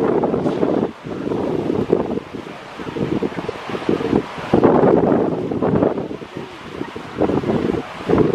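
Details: Gusty wind buffets the microphone in uneven surges and lulls, with rustling and a roaring low hiss throughout.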